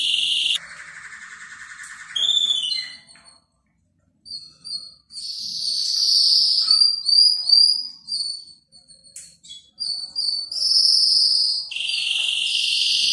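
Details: Canary singing, offered to prompt a non-singing canary: a varied phrase mixing rolling trills, short pauses, clipped high whistled notes and rapid chip series, with long sustained warbles at the start and end.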